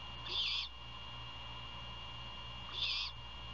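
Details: Great horned owl during a nighttime prey handover at a nest near Savannah, Georgia, 27 February 2022; two loud, breathy, hissing screeches about two and a half seconds apart, each lasting under half a second, with a constant electrical hum.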